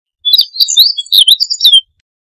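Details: Meadow bunting delivering a lively song phrase of about ten quick high notes, mixing thin whistles, rising slurs and buzzy twitters over roughly one and a half seconds, nothing else audible.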